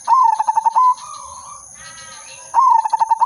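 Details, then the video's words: Zebra dove (perkutut/merbok), silver udanmas type, singing steadily as a lure for trapping: a staccato, bubbly coo phrase of quick pulsed notes, given twice with a soft hum between, over a constant high electronic hiss. "burung perkutut/merbok silver udanmas gacor manggung irama merdu pancingan dan pikat"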